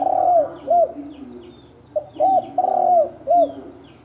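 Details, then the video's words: Wild field-type spotted dove calling to provoke rival males into fighting: bright, rounded coos around mid pitch, a long drawn note followed by short hooked ones, repeated in pairs over a faint low background hum. "Tiếng chim cu gáy thổ đồng kích trống kích bổi đánh nhau"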